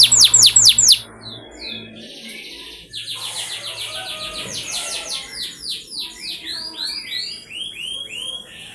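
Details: Canary song used as a training lure to make canaries sing: a loud burst of fast high trills, then quieter repeated sweeping phrases and rolling trills in varied patterns.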